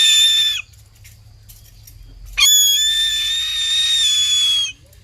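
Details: A Harris's hawk gives two harsh, grating screams: a short rasp, then after a pause a longer one held for about two seconds. This call is given either in flight or perched. Finding: Harris's hawk.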